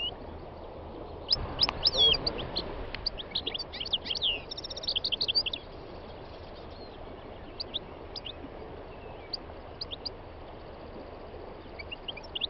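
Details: Three-year-old North African goldfinch singing on a spring day in the north-west mountains of Tunisia: quick high twittering notes and short buzzy trills, densest in the first five seconds, then scattered chirps, over a soft low rumble, with other wild birds nearby.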